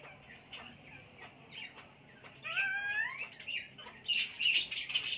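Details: Chukar calling: a few scattered soft notes, then a cluster of clear, harmonic, upward-sliding calls near the middle, followed by harsh, noisy squawking bursts in the last second.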